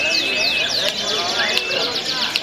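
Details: Canary singing at a 2021 canary competition festival: a dense, fast song of bright whistles, rapid rising and falling sweeps and trills that runs without pause, with other contest sounds in the background.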